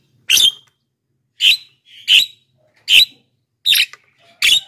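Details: Black-winged myna in full voice, recorded to attract wild mynas and get captive ones answering: six loud, rasping, explosive notes repeated roughly every second, separated by clean silence.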